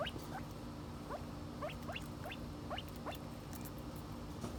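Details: Silver pheasant in America producing repeated brief upward-slurred chirps about every half second throughout, soft and high, with a low continuous hum beneath.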